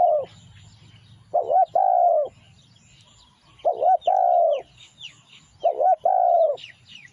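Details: Spotted dove singing, a recording used as a lure for wild doves: a short low coo followed by a longer, rising-then-falling mellow coo, the phrase repeated about every two and a half seconds, with faint high chirps of other birds.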